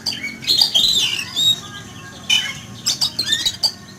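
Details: Oriental magpie-robin kept in a cage and sunned in a yard one morning, frightened by a flying eagle; rapid harsh squawks mixed with high whistled notes, several loud bursts over four seconds.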